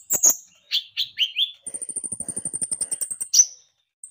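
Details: Javan white-eye song meant as a lure to make birds sing: several sharp descending chirps, then a fast, even trill of very high thin notes for nearly two seconds, ending on one louder downward chirp.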